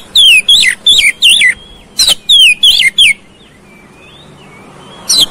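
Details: Oriental magpie-robin song played to provoke a fighting response: loud bursts of whistled, looping notes with sharp downward sweeps, in two runs separated by a pause, with faint thin whistles in the quiet gap.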